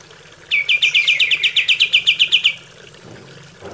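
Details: For training captive birds, a single kapas tembak trill of about two seconds: a fast, even string of high chipping notes, followed by quiet.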